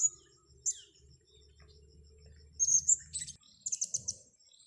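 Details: Blue-crowned hanging parrot, wild, lured by a trapper and taken on grass, gives shrill high-pitched chirps, first a single note, then rapid clusters of three to five piercing notes, over a continuous high insect drone and soft low rumble.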